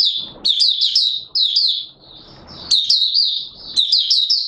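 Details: High, energetic song of an Oriental white-eye, 24 March 2022: tight bursts of twittering notes with quick upward flicks, broken by a short quieter warbling spell before the loud phrases resume.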